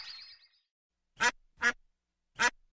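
A duck gives three harsh, nasal quacks, two close together and a third after a short pause, following the fading end of a higher chirping sound.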